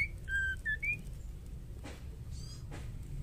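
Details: Female white-rumped shama singing, a recording used to provoke male shamas into singing: a quick run of clear whistled notes, some rising and some level, in the first second, then low background hum and faint clicks.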